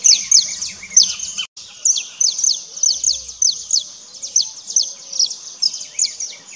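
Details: Saffron finch foraging on the ground for seeds and insects; a rapid, dense stream of high, sharp chirps and short descending tweets, several per second and overlapping as from more than one bird, with a brief break early on.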